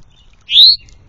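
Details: A towhee at a backyard feeder and bath beside woods and a creek in the North Georgia foothills, NW of Atlanta, about 1,060 ft elevation, gives one short, slightly buzzy rising call lasting about a quarter second, faint low rumble behind.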